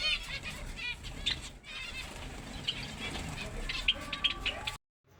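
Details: Finches twittering with rapid, high chirps and brief trills over faint background noise, ending abruptly in a short silence.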